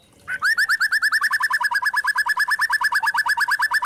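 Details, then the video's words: Spotted white-rumped shama kretekan, used to rile other shamas into song: one steady, fast rattle of about eight notes per second, each a short slurred note, continuing without pause for over three seconds. "Pancingan murai trotol memancing emosi bikin murai batu trotol & Pastol bunyi gacor | Kretekan"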